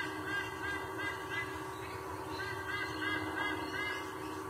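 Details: Sea eagle, the male, calling from a nest at Sydney, Australia: quick series of hoarse honks in short bursts, with constant humming noise underneath.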